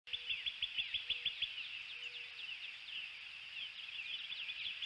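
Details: Bald eagle eaglet begging softly on waking at a wild nest in northeast Florida, hatched 19 February; a quick series of thin high chirps repeated for about a second and a half, then a dense wash of high chirping and twittering continues to the end.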